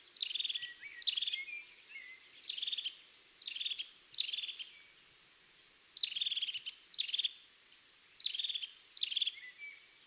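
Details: Repeated phrases from a European crested tit, each starting with a sharp high squeak and sliding down into a rattling, purring trill, delivered rapidly and evenly over ten seconds.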